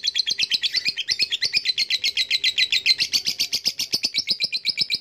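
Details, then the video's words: A lovebird's ngekek: a long, fast chattering trill of sharp, high, buzzy pulses, about four a second, sustained without pause. "Lovebrid ngekek panjang"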